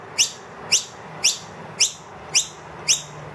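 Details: Wild noisy miner with two young indoors, loudly demanding more food from an empty feeder. Six bright, high, rising chips, each about half a second apart, with a faint low hum beneath.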